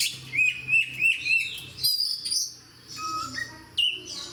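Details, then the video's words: Oriental magpie-robin, gacor and fighter type: four rhythmic, upslurred whistles about every third of a second, then a varied run of piercing high notes and lower pure whistles. "SUARA KACER GACOR DAN FIGHTER"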